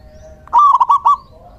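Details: Local male zebra dove used as decoy song: a single short phrase of about five fast, bubbling coos.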